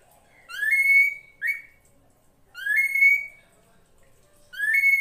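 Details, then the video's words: Drongo (srigunting krantil) in a full-isian master recording for training songbirds: clear rising whistles that sweep up and level off, with bright overtones, given in three phrases about every two seconds over quiet background. "MASTERAN SRIGUNTING KRANTIL FULL ISIN"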